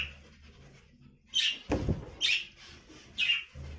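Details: Budgerigar repeating a harsh, bright chirp three times at even intervals under a second apart. A dull thump sounds between the first two chirps, over a quiet low hum.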